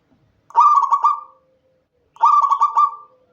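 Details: Local Indonesian zebra dove, recorded without remix or effects and used to prompt caged doves to sing at night. Two cooing phrases about a second and a half apart, each a low gurgling coo broken into quick stuttered notes, trailing off.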